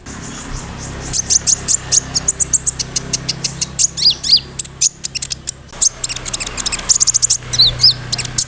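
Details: Sunbird song used as a lure to make other sunbirds answer: rapid, very high, thin chirps and short trills repeated several times a second, with a few slurred down-sweeping notes, over a steady low hum.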